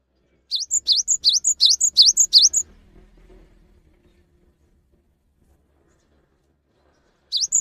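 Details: Cinereous tit master recording to make lazy, stressed or untamed tits sing at once: a run of seven sharp, evenly spaced, swooping high notes, long silence, then another phrase begins.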